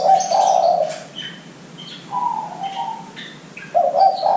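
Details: Spotted dove cooing played as a lure to get young doves calling quickly: low, mellow hooting coos, a long opening note, a softer middle phrase and a renewed coo at the end, with thin high chirps from other birds between.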